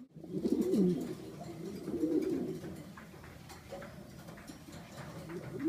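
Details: Contest fancy pigeons kept at a loft in Lawang, Malang, heard indoors: one strong rolling coo early, a second blurred coo phrase shortly after, then quieter murmuring coos fading under steady room noise.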